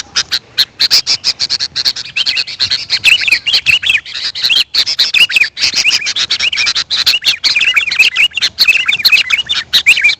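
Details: Sooty-headed bulbul calling, a recording used as a lure for wild birds. A continuous, dense chatter of sharp clicks is interwoven with rising and falling whistled phrases throughout.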